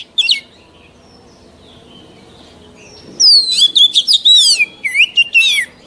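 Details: Oriental magpie-robin, a mature wild-caught bird, whose song serves for training young birds: one brief note, then about three seconds of quiet before a quick series of sweet, downslurred whistles and sharp chips.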